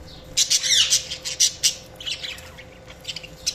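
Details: Chirping budgies give a quick cluster of scratchy, high chatter notes early on, including a rapid descending squeak, then fading to a few sparse chirps.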